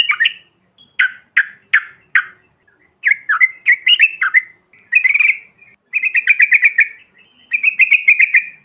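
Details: Yellow-vented bulbul call, bahan or ombyokan style, meant to provoke other birds: a few sharp separate chips, then bubbly phrases and rapid trilled runs of repeated notes.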